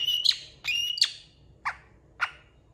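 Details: Long-tailed shrike mimicking song: a few whistled notes near the start, then sharp downward-swept squawky notes spaced about half a second apart, with quiet gaps between.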